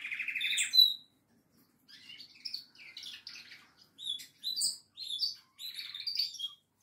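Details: Goldfinch giving a buzzy trill, then after a short silence a scattered series of separate high chirps and twittering notes in loose bursts.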